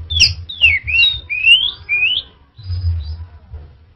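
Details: A string of loud, swooping whistles from an orange-headed thrush, each note sliding up or down in turn. Then comes a brief pause with a low rumble underneath.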